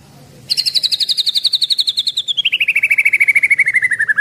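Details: Eleven-month-old Medan white-rumped shama with a 24 cm tail, a vigorous singer: one long, rapid trill of high pulses that slides steadily downward in pitch over nearly four seconds.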